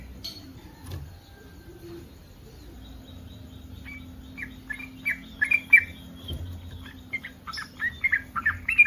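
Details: Yellow-vented bulbul in breeding condition, its mating call meant to provoke other bulbuls into answering; after about four quiet seconds with low background hum, a burst of short, sharp chattering notes starts up, irregular and growing louder toward the end.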